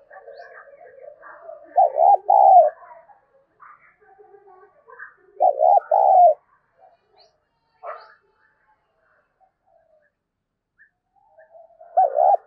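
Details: Spotted dove calling as a lure: loud low two-part coos near 600–800, each a quick double pulse followed by a longer note, repeated about every four seconds with soft fainter bird chatter between.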